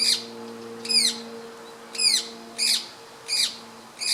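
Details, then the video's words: Female rose-ringed parakeet of the manillensis subspecies, perched on a tree branch and apparently feeding, photographed 18 April 2015 with a Panasonic camera: harsh screeching squawks, about six over four seconds, each a short downward sweep, with a steady low hum behind. "ワカケホンセイインコ "Psittacula krameri manillensis" メスの鳴き声"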